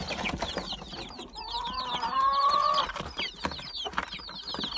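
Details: Mixed Gold Brahma and Silver Wyandotte chicks: a flock of high, down-slurred peeps goes on throughout, with a lower, steady drawn-out tone in the middle and some knocking sounds.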